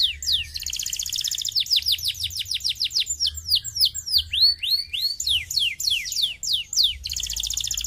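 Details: Canary song to stimulate singing: a dense, high trill followed by a long, rhythmic run of loud descending whistled sweeps, varied arching notes, and a final rattling trill.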